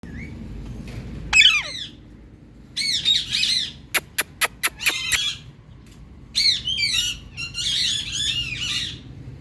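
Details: Pet ringneck parrot, a talking bird watched by another parrot: bursts of harsh, grating high squawks, then a rapid series of sharp clicks, then more rasping chattering squawks.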